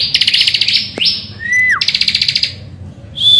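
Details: Energetic bar-winged prinia, recorded in the morning as a song lure for other birds: rapid stuttering buzzy trills around a lower whistled note that slides downward, closing on a high clear whistle.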